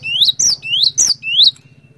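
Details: A glatik batu, or cinereous tit, in full song as a prompt for others of its kind. It gives bright rising whistles, each followed by a sharp high downslurred note, in three quick phrases, then stops. A low mechanical hum runs throughout.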